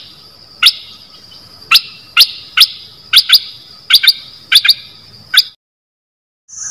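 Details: Bulbul kept as a decoy bird, one of three, giving short sharp chirped notes in loose pairs and singles about once a second, then a brief pause before a faint high note.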